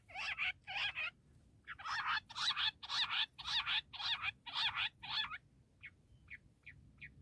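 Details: Bush quail calling, a sound used for quail hunting: about ten harsh, buzzy, broadband bursts at roughly two per second, then a pause and four short, faint, high notes.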